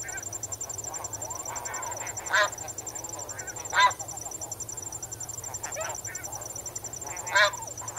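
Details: Wading and swimming flock of snow geese; ongoing low-level honking punctuated by three strong, ringing calls spread across the recording, while a regular high cricket trill runs throughout.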